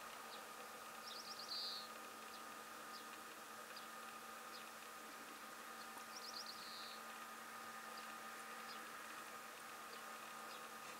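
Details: Latham's snipe singing in Hokkaido, Japan, in summer 2017: two short, high, rasping bursts of stuttered notes about five seconds apart, over a steady low mechanical hum.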